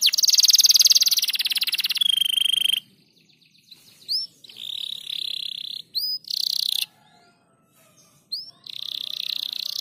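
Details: Crested canary, gacor rapat style: a loud fast trill over a level whistle opens, followed by a pause, then scattered upswept notes and short buzzy phrases.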